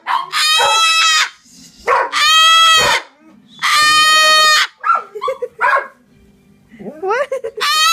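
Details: Harsh, ear-splitting cockatoo screams, three long raspy shrieks in the first half, followed by softer chattering squawks and a rising screech at the end.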